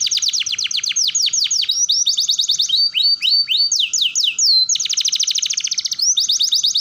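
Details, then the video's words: Canary rolling song used to coax young canaries into learning to roll and sing: fast trilled series of high descending sweeps, changing tour every second or so, a clear whistled note near four seconds, a faint steady hum below. "Pancingan Kenari Paud Belajar Bunyi Ngeroll || Cocok Untuk Terapi Kenari Paud Belajar Ngeriwik"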